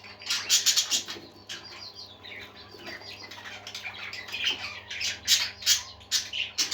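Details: Happy parakeets chatter and sing together: rapid, bright, squeaky twittering with sharp clicks and short buzzy squawks packed closely, swelling and fading in waves over a faint background hum.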